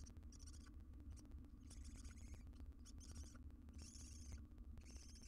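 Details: Wild barn owl in a research nest box filmed on a live cam, making rasping hiss-like screeches in repeated bursts with brief pauses. A constant low droning hum and small ticks run underneath.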